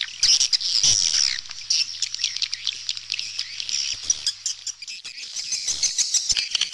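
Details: A busy stream of shrill swallow chirps and squeaks from several birds overlaps continuously, with a faint low hum in the background.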